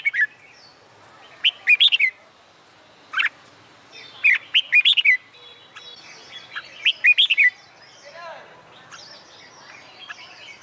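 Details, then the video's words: Red-whiskered bulbul singing during a summer day to train others for song contests: repeated bursts of fast, bubbling whistled notes every couple of seconds, with quieter chirps and a soft descending call in the background. "CHIM CHÀO MÀO HÓT GIỮA NẮNG NGÀY HÈ"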